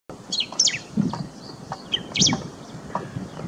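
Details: A male bristled grassbird calls during the breeding season at Sodepur, West Bengal. It gives short, sharp, high notes in quick clusters, about two bursts in a few seconds, over low rustling and faint background noise.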